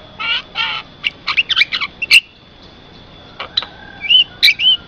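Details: A black-winged starling sings, a recording meant to draw in other starlings and train kept birds: harsh nasal notes, twisting whistled phrases, a pause, then rising whistles and squawks.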